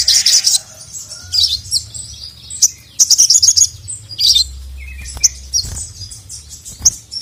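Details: Calling for a male, a crimson sunbird (sogon) pours out bursts of high, rapid sparkling twitters with short pauses between them. Single thin chirps are scattered through, over a faint low hum. The recording serves as tutor audio for a quiet bird.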